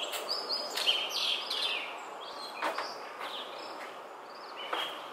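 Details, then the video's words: Blue rock thrush song heard at a distance: short whistled and warbled phrases broken by pauses, with a few sharp clicks and some background noise. "イソヒヨドリ さえずり"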